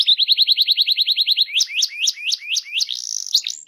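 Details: Canary song for prompting other canaries: a run of quick repeated chirping notes, then sharper rising and falling whistled notes, ending in a short buzzy trill.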